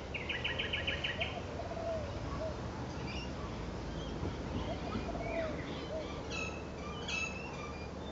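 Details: Spangled Drongo recorded 26 July 2011 gives a rapid, stuttering nasal rattle, then scattered sharp metallic twangs and short whistles, over a steady low rumble.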